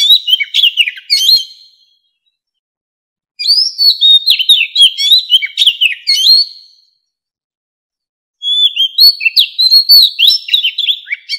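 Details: Mature wild Oriental magpie-robin singing to draw in wild birds: three bursts of rich, fast-changing whistles, slurs and scratchy flourishes, each lasting a few seconds and separated by short silences.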